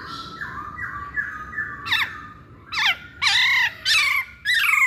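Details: Masked laughingthrush, sounded as a lure to start other birds singing, gives soft stepped whistles and then harsher, squawky descending notes repeated several times over faint background noise.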